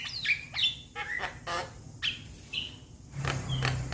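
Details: Juvenile Javan myna calling to companions, giving a few separate whistled notes that sweep down then level off, mixed with short rasping bursts, gaps between them, faint low hum beneath.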